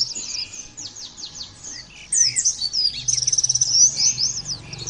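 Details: Pleci song made for other white-eyes to copy. A run of quick downslurred high notes gives way, after a short lull, to an intense stream of piercing twitters and a fast rattling trill, over a soft low background hum.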